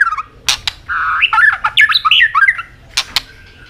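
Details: A harsh, scratchy run of varied squawking and warbled notes from an Asian robin, with a few sharp clicks before and after.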